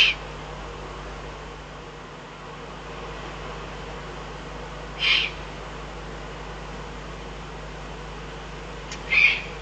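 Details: Eurasian eagle-owl, Eifel, 22 June 2012: short raspy high-pitched calls roughly every four to five seconds, each under half a second, over a quiet background with a low droning hum.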